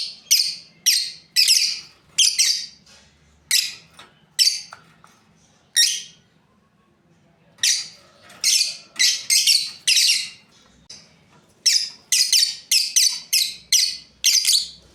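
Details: Lovebirds, a breeding pair, giving sharp shrill chirps and squawks one after another, spaced in irregular bursts with quiet gaps; indoor setting with little background noise.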